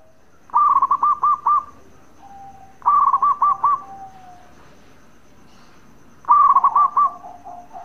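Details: Bekur song of a local zebra dove, meant to draw replies from other doves: three bursts of quick stuttered pulses, each trailing into a soft level coo, spaced about two to three seconds apart.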